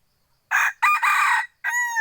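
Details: F2 junglefowl gives one crow, opening with a brief coarse note, then a sustained buzzy middle section and a cleaner tonal ending held steady before stopping abruptly. No other sounds are heard.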